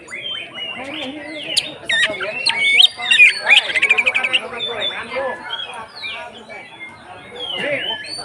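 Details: Oriental magpie-robin (kacer) song in the 'konslet ngeplong' style, played to push other kacer into singing: dense buzzy chatter with rapid repeated clicks in the middle, then scattered softer whistles.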